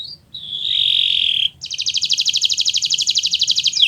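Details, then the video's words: Kenari Nusantara canary singing as a tutor for young birds; a sustained buzzy note followed by a steady rapid trill of high pulsed notes over a low background hum. "Suara Burung Gacoran Kenari Nusntara, untuk Masteran Belajar Bunyi"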